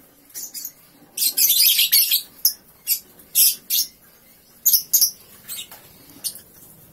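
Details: Young lovebird, three months old, starting its ngekek song just after waking: a long, rapid, shrill chattering run near the start, followed by a series of separate high, scratchy chirps spaced unevenly over several seconds.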